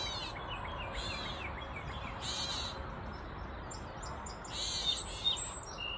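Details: Grey Catbird in a mulberry tree at Side Cut Park: nasal, arching calls with a harsh hissy edge, repeated every second or so amid softer chips from other birds over a steady low outdoor rumble.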